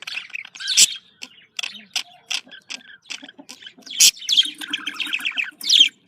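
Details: Pet budgerigar breeding-stimulation chatter: a busy mix of clicks, sharp high squeaks and scratchy warbled phrases, with short silent breaks throughout.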